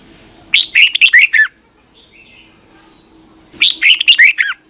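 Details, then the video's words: Red-whiskered bulbul singing at morning for training: two loud warbling phrases of six quick up-and-down whistled notes, three seconds apart, with a thin steady background tone. "Luyện chào mào hót sáng 2021"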